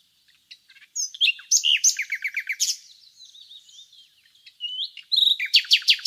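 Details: Common nightingale singing in the village of Laleli, Yol-çatı, Bursa, Turkey: rich phrases of high whistles and rapid repeated down-slurred notes, a rattling trill, then a fast series of sharp clicks after a brief pause.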